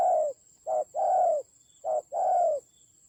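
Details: Decoy spotted dove in a fight in the Central Highlands of Vietnam, October 2020. Soft, mellow coos alternate short and long, each longer note gently falling at its end, with a thin constant electronic whine behind.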